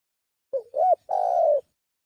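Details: A single spotted dove lure phrase: short low coo, an arched rising-falling note, then a drawn-out slightly descending coo with a faint pulsing texture, on a silent background.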